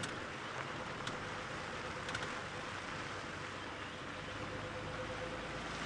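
A steady vehicle engine rumble fills the air outdoors, with a few faint clicks and no animal calls.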